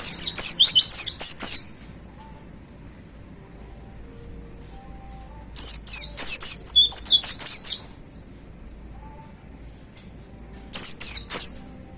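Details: Caged white-eye gives three 'tembakan' bursts, each one to two seconds of high, rapid, chattering slurred whistles, separated by several seconds of near silence.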